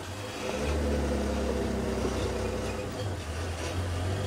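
A vehicle engine runs steadily at sunrise on a Sabi Sand safari drive, a low rumbling drone with slight revving and no animal voices standing out.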